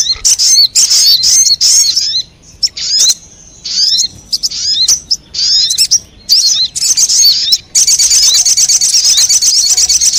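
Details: Lure sound for wild sogon birds: rapid chattering chirps and slurred whistles in uneven bursts, ending in a continuous high buzzy trill.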